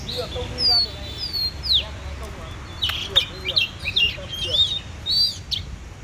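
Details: Oriental magpie-robin (Copsychus saularis) song: a varied run of clear, slurred whistles and sharp chips in quick separate phrases, over a low background hum.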